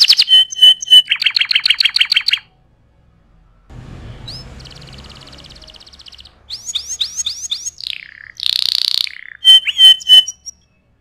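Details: Canary master song for tutoring: short bursts of pulsed trills and pure notes broken by silence and a stretch of low noise, followed by a high buzzy trill, swooping whistles and a harsh burst.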